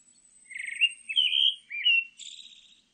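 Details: : Pale thrush: three slurred whistled phrases around mid-high pitch, rising and falling, followed by a thinner, higher buzzy note, all in about three seconds against a quiet background.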